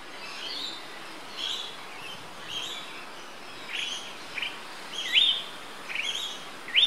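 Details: Yellow honeyeater recorded on 20 October 2013 at Port Douglas, Queensland, Australia, with a Panasonic Lumix GH3 camera; short rising whistled notes with curled upward sweeps, given irregularly about once a second and growing louder toward the end, over steady background hiss.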